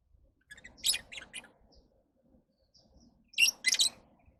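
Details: Lovebird uttering grating high chirps in two clusters, a stuttering series of squeaks then a louder double burst, with faint low background rumble between.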